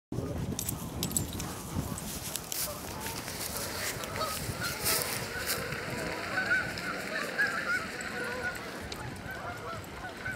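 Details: Canada geese, thousands gathered along the Salmon River near Truro on 22 March; a dense, distant chorus of overlapping honks forms a steady wash beneath occasional clearer calls, with low wind rumble throughout.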